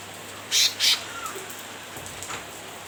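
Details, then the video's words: Cucak ranting chattering to taunt a rival, two short, harsh, noisy bursts close together, followed by a brief thin whistle and a quiet background. "Burung cucak Ranting gacor nyrecet menggoda lawan"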